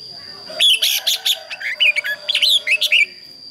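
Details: Red-whiskered bulbul singing a morning competition song for training: a rapid, continuous chain of bright, bubbling, slurred whistles and chirps, some dipping downward, over a steady high-pitched whine.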